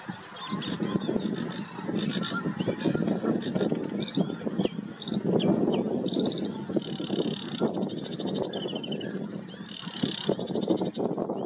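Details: Eurasian reed warbler singing at Groenzoom, a steady, chattering run of grating high notes, each repeated two or three times, over a constant low rumble of wind or distant traffic.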